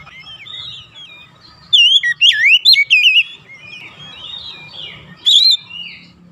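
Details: Oriental magpie-robin song for stimulating caged birds: soft warbling over a steady low hum, broken by a loud cluster of twisting whistles and one later short whistled burst.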